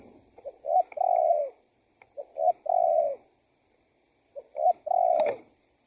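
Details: Calling spotted dove, a lure to bring wild doves: three cooing phrases, short rising notes leading into a long, smooth, gently falling coo, roughly every two seconds, with a faint click near the end.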